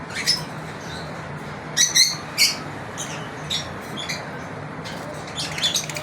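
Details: Lovebirds chirp sparsely during a daily routine: isolated sharp high squeaks in short clusters, separated by quieter gaps over a low steady hum.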